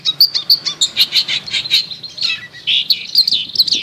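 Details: Long-tailed shrike lure song to coax a silent bird: a steady run of sharp chirps and short whistled notes, then a brief harsher, buzzy phrase and more quick chirps.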